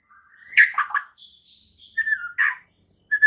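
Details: Morning training song of a white-rumped shama for prompting other shamas to sing: a few scratchy notes and thin high whistles separated by quiet gaps.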